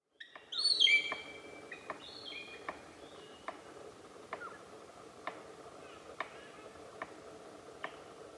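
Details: A palm cockatoo sits on a tree and drums a seed pod against it to attract a mate: a steady series of sharp wooden knocks about once a second. Thin, high-pitched calls at the start come from other birds.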